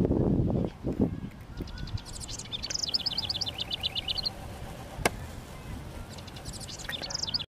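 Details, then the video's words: House wren, a male, singing at length to mark its territory of a honeysuckle vine on a fence and surrounding bushes on a sunny spring day, 19 °C; fast bubbling runs of repeated high notes, a long burst then a shorter one, low rumbling at the start. "House Wren Singing, Thus Marking Its Territory Too"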